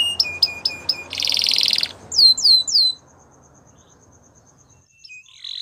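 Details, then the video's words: Gloster canary training song: a short row of clipped chirps and a buzzy trill, a few down-slurred whistles, then near silence with a faint final buzzy note. "Gloster Canary Singing | Canary Training Song"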